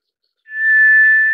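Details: White's thrush, also called tiger thrush: one long, steady, thin whistle on a single pitch. It lasts close to a second, swells in gently and fades at the end, with a quiet background.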